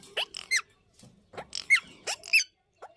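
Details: Breeding Indian ringneck parakeets giving short, sharp squeaky notes, several with quick rising sweeps, repeated irregularly about every half second.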